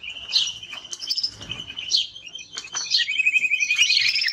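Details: Timbrado canary singing a thin steady high trill with scattered sharp chirps and a rapid rattle near the end.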